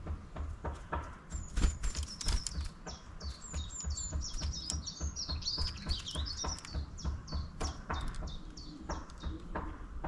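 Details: Long-tailed tit in town giving a busy stream of thin, very high calls, short notes tumbling over one another with some slurred sweeps, under a steady low rumble of traffic.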